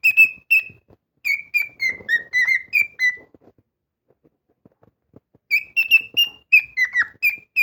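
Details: Cockatiel kept as a pet, loud singing: a fast string of pure whistled notes in phrases, some dipping downward, then a pause of about two seconds filled with soft rustling before the whistles resume.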